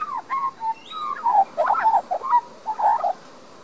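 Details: Young Australian magpie living in a Queensland garden, Australia, recorded with a Panasonic Lumix DMC LX7: a string of mid-pitched gurgled and whistled notes, some clipped, some drawn out, ending in a quiet trail-off.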